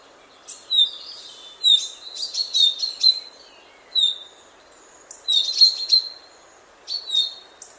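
A common chaffinch sings bright, sharp phrases of quick high notes, repeated every second or two.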